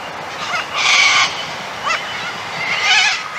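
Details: Noisy miner, an aggressive honeyeater: harsh, rasping bursts of noisy calls, a longer grating note followed by a brief one and another harsh burst, over faint background hiss.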